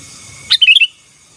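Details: Sooty-headed bulbul singing vigorously, a song said to dominate rival birds: one quick phrase with a sharp opening note and four rapid, rolling whistled notes, then silence over a faint steady high hiss.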